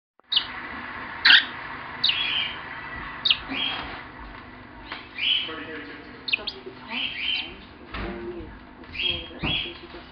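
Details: Bourke's parakeet, a female pet, chattering quietly indoors; soft warbling chirps and brief rising whistles scattered over a constant background hum.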